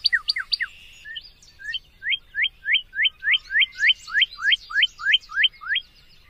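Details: Northern cardinal singing: a few quick slurred notes, then a steady series of about fifteen clear, loud whistled slurs sweeping upward, repeated roughly three per second, with faint background chatter.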